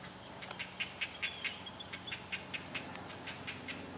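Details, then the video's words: Great blue heron chicks begging at a nest in a pine tree: a steady series of short, dry ticking chirps, about two per second, with a faint thin whistle in the background. ""I'm Hungry Sounds" Great Blue Heron chicks"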